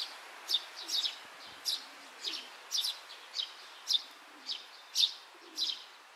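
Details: Oriental greenfinch juvenile hunting for food in grass on 31 May 2023 around midday; a loose series of bright, high chirps, some doubled, coming irregularly about twice a second over soft ambient hiss.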